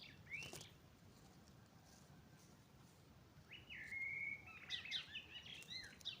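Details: Spring birdsong at dawn: a brief chirp, a quiet gap, then a sustained clear whistle followed by fast high twittering notes.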